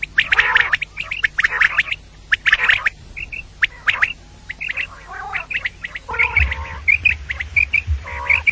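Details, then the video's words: Female common quail (batair) calling, a call for morning use: harsh, buzzy squawks in quick bursts, about one per second, with thinner high whistled notes over a low hum. "Batair Ki Awaz | Female Quail Calling"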